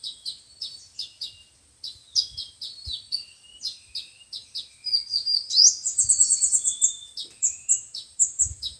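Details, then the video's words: Sunbirds of the five-colour and seven-colour types, recorded for playback to trap birds: clusters of high chips and short down-slurred notes, building into a louder bright twittering run with a rising slur midway. "Tiếng chim hút mật 5 màu và 7 màu dùng để bẩy loa"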